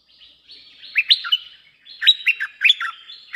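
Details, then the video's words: Bulbul song used to lure wild birds: two bursts of quick, bubbly, slurred whistled notes, the first building from soft to loud, the second starting near the two-second mark. "เสียงนกดอกแตงEp.190 2หลักกว่าจะลง!! หลัก2 มาโดยไม่ต้องเรียก Suara pikat merbah lekir gacor"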